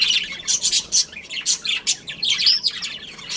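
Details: Pet budgerigar breeding pair at home in dense, continuous chatter: rapid high, scratchy chirps and squeaky warbles tumbling one after another with hardly a pause.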